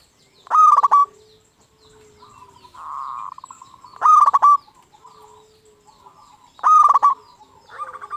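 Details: Local zebra dove singing to provoke silent or stressed doves into answering: three loud, rasping rolled coos spaced a few seconds apart, with a soft murmuring phrase and faint coos between them.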